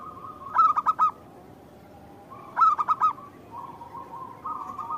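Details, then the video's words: Local zebra dove, a keen singer, cooing in reply to a lure call: two bubbling phrases of rapid pulsed coos about two seconds apart, with a soft steady hum and gentler cooing between them. "Perkutut lokal gacor pancingan perkutut lokal langsung nyaut"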